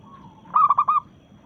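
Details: Local perkutut (zebra dove) challenging rivals while in breeding mood: a single brief burst of four quick, mellow cooing notes, soft and rounded.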